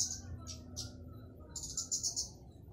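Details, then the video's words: Flowerpecker giving three thin, very high chips, then a rapid, sizzling high trill, over a low steady hum; a loud call meant to lure other flowerpeckers into singing. "Kicau Burung Kemade atau Burung Cabai Gacor"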